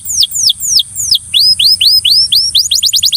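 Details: Belgian canary coaxing a friend to sing: four slow falling whistles, then a few rising arched notes, ending in a quick burst of short upswept chirps, with a thin steady high hiss in the background.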